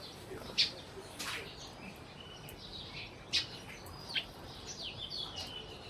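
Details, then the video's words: Sparrows in Burma calling with sharp, isolated chirps spaced about a second apart, alongside softer overlapping twittering from several birds over a low background hiss. "Sparrows/ sparrow sounds"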